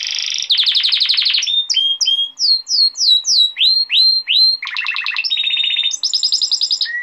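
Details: Golden-throated male canary song used for tutoring young canaries and courting females: buzzy opening roll, then a chain of clear rising and falling whistled slurs about twice a second, ending in rapid rolled trills at shifting pitches.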